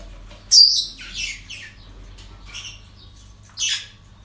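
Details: Parrots calling at a breeding centre: a loud harsh screech opens, followed by rasping squawks and softer chatter, then another hoarse call near the end, with a faint mechanical hum underneath.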